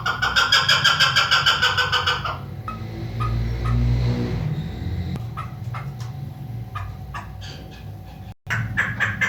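A female chukar gives rapid, harsh chuck-chuck notes in a fast run that fades, then resumes after a pause, over a low engine rumble and scattered clicks.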